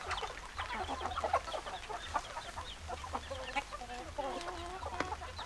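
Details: Several hens cluck in short, repeated notes that overlap, followed by some longer, drawn-out calls, with a steady low hum in the background.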